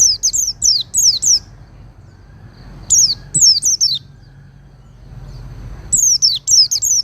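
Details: High, slurred whistles from an Oriental white-eye, recorded for tutoring caged birds, come in three bursts of rapid downward-sweeping notes separated by brief quiet spells with faint low background rumble.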